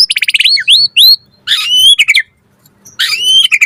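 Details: White-rumped shama in full active song, used as a training recording: fast stuttered notes, clear rising and falling whistles, and harsher buzzy phrases, with a short silence before a final burst.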